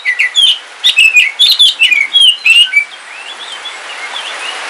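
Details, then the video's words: Kalimantan black oriental magpie-robin, kept at home, sings during rain: rapid sweet whistled notes and chirps in quick bursts, rising and falling, with rain noise in the background. "Suara Kicauan Ketika Hujan - KACER WULUNG KALIMANTAN"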